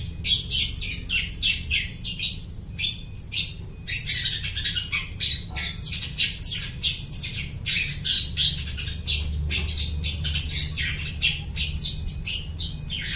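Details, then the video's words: Long-tailed shrike mimicking other birds, kept for luring; a long, dense stream of harsh squawking and chattering notes in quick irregular succession, with a low droning hum beneath. "suara burung cendet gacor niruin suara burung lai"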